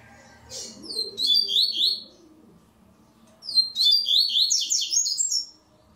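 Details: Double-collared seedeater singing during an online tournament stage, two strophes of quick sweet whistled notes about two seconds apart, each a rapid chain of down-slurred syllables; faint low indoor murmur.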